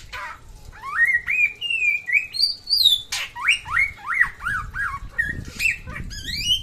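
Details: Energetic song of a samyong from NTB: loud rising whistled slurs repeated in a rhythmic series, about two per second, with a few high sweeping notes and quieter pauses.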